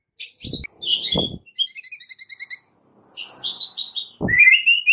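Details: A white-rumped shama sings in the morning in fighting mode. High chattering notes alternate with sharp low thumps, then a rapid trill of repeated notes and a rising whistled phrase at the end.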